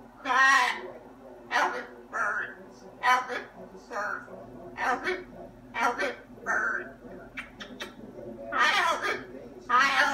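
A macaw chatters in a string of speech-like phrases, raspy and harmonic, each burst under a second and coming roughly every second or two.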